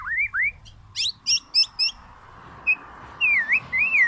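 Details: Black-naped oriole with its characteristic voice: two fluid, slurred whistles open, then quick high chirps. Later come a short note and a run of mellow, wavering whistled phrases over a steady background hum.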